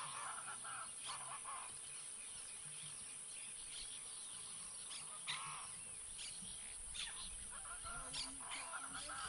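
Wattled jacanas give harsh, nasal, honking chatters in short bursts, several birds overlapping, over a steady high insect-like hiss.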